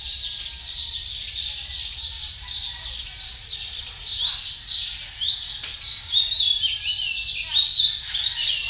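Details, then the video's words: A male Philippine magpie-robin (Copsychus mindanensis) sings varied, sweet whistled phrases that rise and fall, over a dense background of chirping birds and insect hum. "Male Philippine magpie-robin song"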